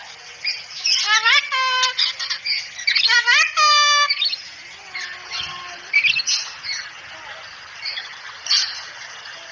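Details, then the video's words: Talking cockatoo saying "assalamualaikum", on a masteran training recording: harsh, harmonic-rich squawked syllables, with two loud bursts near one and three seconds and softer, lower utterances trailing after. "masteran burung kakatua bicara asalamualaikum"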